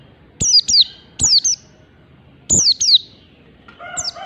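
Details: Mountain white-eye from Merapi in its ngalas standar song: paired, sharp downslurred whistles repeated in short groups. A rooster begins crowing faintly near the end.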